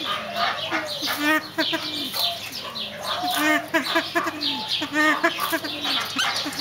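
Silver pheasants give harsh, rapid clucking and chattering calls, short notes tumbling over one another from several birds at once.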